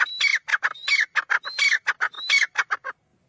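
A black francolin gives a loud, harsh, grating phrase of clipped notes with a thin rising whistle, repeated about four times in quick rhythm.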